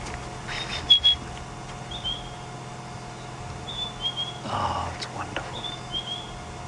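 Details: A White-browed Scrub Robin gives its last call of the night at sunset near Sydney's Dam, 12 February 2016: thin, high whistled notes in short slurred phrases every second or two, over whispered speech, vehicle hum, with zebras nearby.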